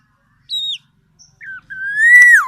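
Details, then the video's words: Black-naped oriole calling with a few separate pure whistles: a high level note, a short falling one, then a long smooth rising whistle that swells louder before dropping away; quiet background. "SUARA BURUNG KEPODANG EMAS YANG KHAS"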